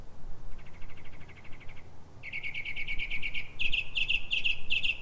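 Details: Wild Northern mockingbird singing at 3:44 am in pre-dawn darkness in Silver Spring, Maryland, USA. Faint rapid chatter gives way to a loud run of repeated buzzy notes, then switches to a higher, harsher phrase repeated several times over a low background rumble.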